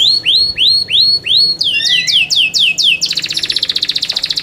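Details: Yorkshire canary, a caged songbird, singing competition-style: a series of loud rising upswept whistles, then quicker doubled notes, ending in a fast rattling trill repeated many times per second.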